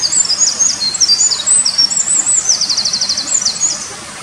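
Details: Eurasian wren singing energetically beside a mountain stream in a forest in Japan on 23 May 2019: a rapid, high-pitched cascade of thin whistles and twitters, including a fast even trill, over steady rushing water.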